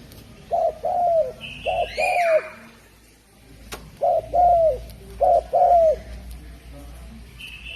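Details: Javanese spotted dove sings low, mellow cooing phrases of two or three notes, the last one drawn out and falling; two groups are separated by a short pause, with a faint higher whistle and a chirp in the background.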